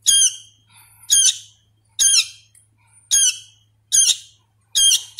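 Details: A young sooty-headed bulbul reared by hand and still learning its song gives harsh, grating squawks roughly every second, some doubled, with soft quieter notes between and a low steady hum.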